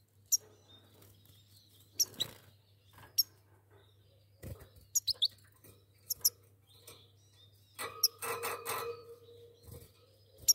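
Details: A goldfinch pair twittering with bright, high, clipped notes spaced irregularly, then a denser rattling burst near the end, set against a low background hum.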